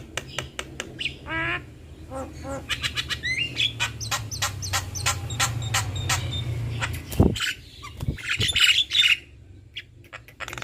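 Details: Duetting male and female black-winged starlings: dense sharp clicks and short whistles, with a low hum and a brief thud mid-way, then a few scratchy high notes.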